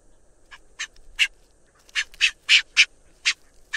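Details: Brown booby (Sula leucogaster), call.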